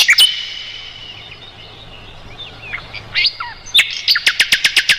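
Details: Mugimaki flycatcher singing, kept as tutor song for roll-type songbirds. A thin whistled line fades into quiet scattered squeaks, then short downslurred chirps and an even series of sharp clicking notes at the close.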